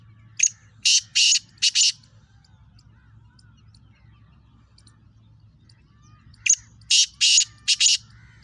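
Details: Calling black francolin (Kala Teetar, speeder type, Sindh and Punjab): a sharp click followed by three harsh rasping bursts, the same phrase repeated about six seconds later, with a low hum between.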